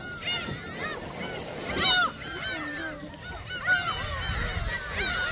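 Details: Gulls taking shrimp crackers at Seonjaedo give overlapping curved squeals, with a sharp louder call near two seconds and another burst near four seconds, over low-pitched rumble.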